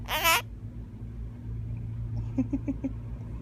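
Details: Pet male half-moon parakeet that likes to be pampered, sneezing indoors: one short harsh burst right at the start, then four faint soft ticks about two seconds later over a steady low hum.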